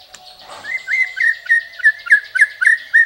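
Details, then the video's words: Murai batu, the white-rumped shama, in an Indonesian masteran recording: after a short noisy start, a steady series of about ten clear mid-pitched whistled notes, each ending in a slight flick, repeated roughly four times a second. "Masteran Murai isian mewah tembakan panjang panjang super pedas | shama bird song"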